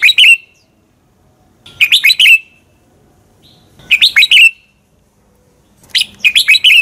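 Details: Fighting song of a red-whiskered bulbul, played as lure sound for training birds to sing in the morning; four short, lively whistled phrases, each a rapid burst of four or five chirpy notes, spaced about two seconds apart.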